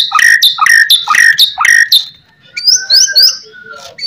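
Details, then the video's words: White-rumped shama singing, used as a master song to provoke other shamas into answering: four loud repeated rich phrases, each a harsh burst dropping into a whistle, then quieter high slurred whistles after a short pause. "HITUNGAN MENIT SAJA, MURAI BATU APAPUN LANGSUNG NYAUT"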